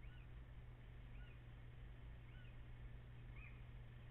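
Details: Before dawn on 14 April, after 04:56, a little owl gives soft rising-then-falling whistled calls roughly every second. They are faint against a constant low electrical hum, and two birds may be calling together.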